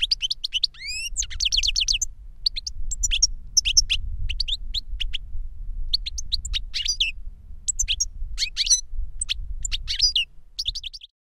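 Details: European goldfinch song from a caged master bird and a young goldfinch that learned the same song from a recording of it; quick series of rising whistled notes, then steady liquid twittering and chirps for about eleven seconds over a low background rumble.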